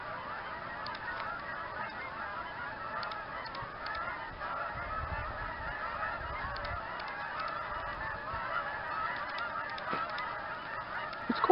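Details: A flock of migrating Canada geese at Campbell's Bay honks steadily, many nasal calls overlapping into a constant clamor.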